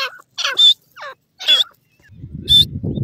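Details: In a forest, grey francolin chicks contesting grass give irregular harsh chirps and sharp high bursts, with a rough rustling noise rising toward the end.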